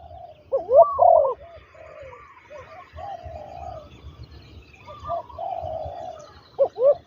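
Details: Spotted dove during ground trapping with a trained decoy, giving sharp rising-falling coos at the start and end. Softer, drawn-out coos fill the quieter middle.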